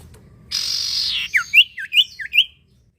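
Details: Common iora singing, used to prompt other birds: a rasping buzz followed by five rising whistled notes, evenly spaced and quick.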